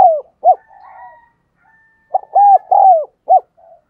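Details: Spotted dove decoy bird giving urging coos that encourage other doves to call; a falling coo and a short note, soft low humming, then a quick phrase of loud rounded coos ending in a clipped note.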